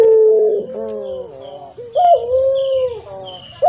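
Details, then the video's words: Barbary dove of the puter pelung type, said to have a hoarse, fearsome voice, giving drawn-out coos that dip and rise in pitch, with short gaps between the notes. "Suara PUTER PELUNG serak menyeram kan"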